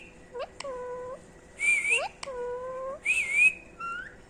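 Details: A three-year-old female rose-ringed parakeet, kept as a pet, repeats the word "Mitho". Two speech-like phrases each end in a level, nasal drawn-out tone. Between them come two shrill, buzzy squeaks and a short rising whistle at the close.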